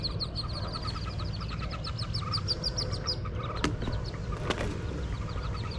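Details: Wood duck ducklings jumping from a nest box, heard from below, give a rapid stream of thin, high peeps, several per second, over a low rumble with two sharp knocks.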